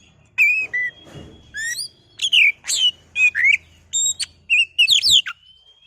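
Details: Oriental magpie-robin song meant as a lure to excite birds into singing: a lively series of loud whistled, slurred and chirping phrases, each about half a second long, with brief pauses, over a faint low hum.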